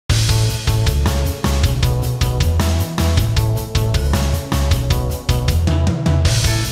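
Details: Loud rock music with pounding drums, heavy bass and electric guitar fills the whole stretch, with no animal voice anywhere.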